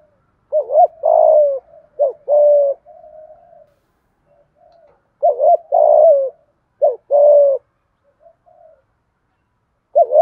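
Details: Repeated coo phrases of a spotted dove, used to provoke rival birds. Each phrase pairs a short mellow note with a longer throaty, slightly falling coo, with quiet low murmurs between phrases.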